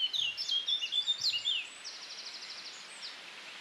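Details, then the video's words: Eurasian blackcap male in song, Wiltshire, UK, June 2019, on a very windy day: bright fluty whistles tumbling up and down, then a rapid buzzy trill of evenly repeated notes, with constant wind rushing behind. "Blackcap Song"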